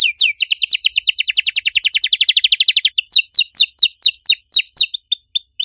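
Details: Domestic canary in full, loud song with unique phrasing: buzzy downward-sweeping notes open into a fast, even rattling trill of high notes, then give way to slower repeated downslurred whistles.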